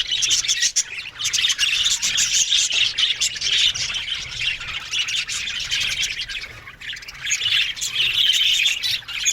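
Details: Colony of budgerigars in an aviary, many birds chattering at once in a continuous dense wash of warbled, chirping notes with no pauses.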